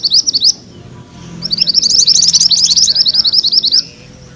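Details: Mantenan kuning songbird in gacor rolling (ngerol) song, used as master material for training magpie-robins: a short burst of high chirped notes, a pause, then a long fast roll of sharp, repeated, slightly rising notes.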